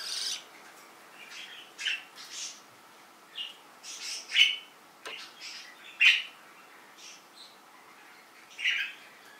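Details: Canaries, described as beautiful exotic birds, giving short, scattered high chirps and squeaks, separated by brief pauses, at an irregular pace of roughly one call every second or two over a quiet background.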